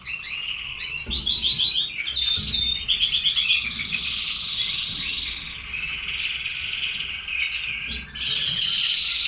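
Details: Red canaries produce a long rolling song of rapid trills and a drawn-out buzzy warble, several voices layered, with occasional soft knocks in the background.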